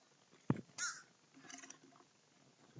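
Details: A group of crows feeding, with a single harsh, short caw and a sharp thump before it, followed by softer scuffling noises.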